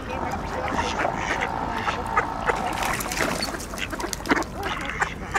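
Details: Crowded mallards quack for position while scrambling after scattered bird seed at a shrinking ice hole, with Eurasian coots and swans nearby; continuous rough quacking and clucking, a steady nasal tone in the middle, splashes behind.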